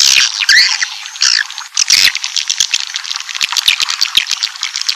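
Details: Swiftlet lure call for drawing a colony into a building: steady, thick high twittering with a few louder buzzy notes, fading into rapid flickering chatter.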